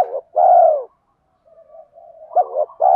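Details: Spotted dove call from cocks and hens, used to stimulate training birds. One long, low coo ends a phrase, then quiet murmuring, then two clipped notes and the start of the next coo.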